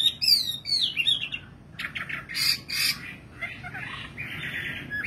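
A nightingale runs through varied phrases: high whistled notes slurring downward, a burst of harsh buzzy notes, then a dry rattling trill.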